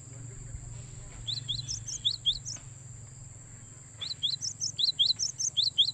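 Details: Cinereous tit calls used as a lure for trapping wild birds: two loose bursts of short, high, sharply down-slurred chirps, the second burst louder and more rapid. A steady high-pitched whine runs throughout, with a low hum underneath.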